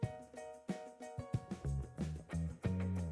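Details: Plucked guitar music with strummed chords and a low bass line, no animal sounds.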